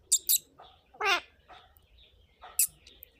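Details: Indian ringneck parakeet with short, sharp, high chirps and a harsh, grating, mid-pitched call in the middle, then a few fainter rough notes and another high chirp, over light background hum.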